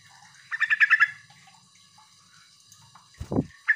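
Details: Trucuk, the sooty-headed bulbul, in a lure call used to get other birds calling back: a quick burst of about six chattering notes, quiet hum, then a dull knock and a final sharp note.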